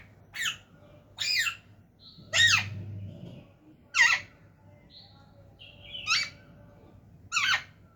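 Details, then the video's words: Talking parrots indoors repeat harsh, raspy squawks about every one to one and a half seconds, with faint soft whistles between them. "बोलने वाला तोता.. talking parrots"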